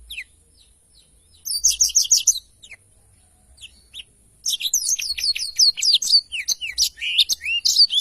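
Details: Black-throated canary tutor song: a brief fast trill of repeated high notes, a quiet gap of two seconds, then a long run of rapid chirps and sweeping whistles.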